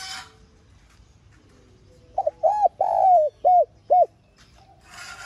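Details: Spotted dove used as a lure, giving one calling and urging phrase of a stuttered note, rounded coo, long falling coo and two short coos, between bursts of hissing noise at the start and end.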